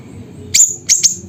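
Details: Siri-siri bird from Busu Reului, Pidie, Aceh, Indonesia: one loud high chirp, then two quick shrill chirps close together, over a low background hum.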